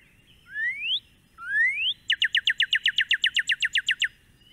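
A Northern Cardinal sings two long, rising slurred whistles, then a quick run of about fourteen clear, down-slurred chirps. Only a faint low hiss sits behind it.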